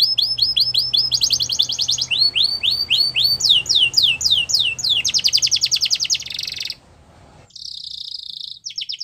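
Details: Champion canary song used in training: repeated curved whistles, swooping chirps and a fast rattling trill, then a sustained buzzy tone after a short pause, over faint low hum.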